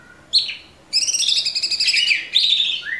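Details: Orange-bellied Leafbird in 'tembakan' delivery, a master recording for cage bird training: one sharp note, then a fast, even trill of about two seconds and a rising whistled ending.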